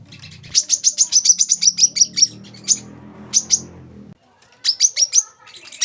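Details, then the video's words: Olive-backed sunbird, known locally as kolibri kelapa or wiceh, used as a tutor recording to get young birds singing: a rapid series of high, sharp chirps repeated about six per second, then scattered notes after a pause, with a low hum underneath. "kolibri kelapa | wiceh | manggar | putar suara ini untuk burung bahan agar rajin bunyi"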